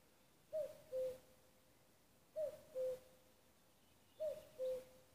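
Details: Common cuckoo calling in Nuuksio, Finland, on 6 May 2015: clear, hollow two-note cuck-oo, the second note lower, repeated three times about every two seconds over a quiet background hiss.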